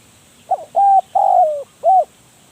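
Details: One full cooing phrase from a spotted dove used as a decoy: a faint lead-in note, a steady coo, a longer coo sliding downward, then a short rounded final note.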